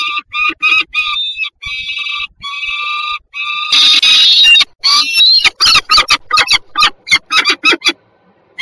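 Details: Peregrine falcons at Warsaw's Żerań district, Poland, on 26 September 2022, calling loudly and close: long harsh harmonic wails give way to a burst of rough noise, then a rapid chattering series of short clipped notes.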